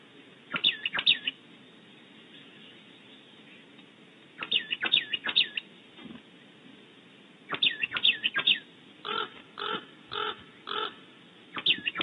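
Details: Oak titmouse outside a nest cavity in California gives quick clusters of sharp, upswept high chirps, spaced a few seconds apart. Several short, harsher buzzy notes follow near the end.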